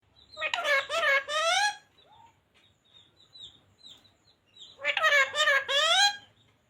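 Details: Green parrot that talks, taught phrases such as 'radhe radhe', 'mithu beta' and 'sita ram'; two bursts of rapid, nasal, speech-like syllables separated by several seconds of soft chirps and faint whistles.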